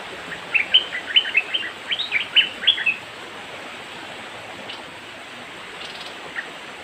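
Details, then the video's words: A young bulbul (merbah lekir) gives a quick, bubbly phrase of about ten liquid, mid-high notes over roughly two and a half seconds, over a steady high insect hiss. "merbah lekir otai muda"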